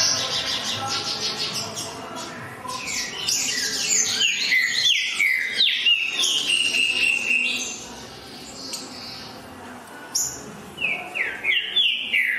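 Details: A green-winged saltator pours out rapid, strong whistled notes that mostly fall in pitch; the song goes quiet midway, then short whistled bursts return near the end.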